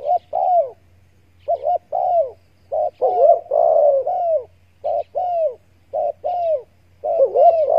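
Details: A hunter's lure recording of spotted dove calling. Mid-pitched cooing phrases come in quick succession, each a wavering, rolling coo, some overlapping. A steady low hum runs underneath.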